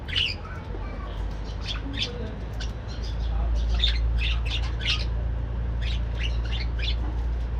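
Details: Morning activity in a breeding budgerigar colony: many short, bright chirps and squawks overlap in quick, uneven succession above a steady low mechanical hum.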